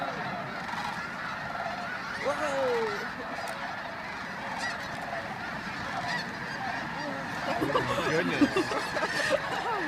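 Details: Many geese at sunrise at the Flight Deck, Bosque del Apache, San Antonio, New Mexico, on 10 November 2013, taking flight at dawn: a dense, continuous chorus of overlapping nasal honks and yelps, rising and falling in waves with no pause.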